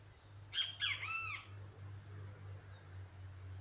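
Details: Great kiskadee giving one three-part phrase, two short piercing notes then a longer slurred note, followed by steady low humming and a faint distant chirp.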